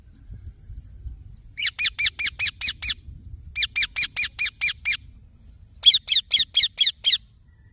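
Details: Baby green parrot calling in three steady runs of about six grating chirps each, delivered quickly and evenly, separated by short silences, with faint low background noise.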